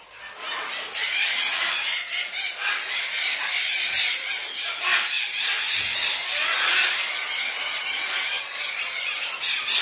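A yellow-crowned amazon gives harsh, squealing, raspy calls almost continuously, loud and grating with little pause between them.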